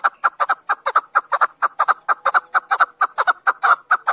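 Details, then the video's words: A chukar partridge gives a rapid, rhythmic string of rough clucks, roughly two per second and fairly even, some notes doubled, continuing without pause against a quiet background. "Keklik sesi. Keklik sesi Hunter. Chakor voice. chakor sound. chakor calling."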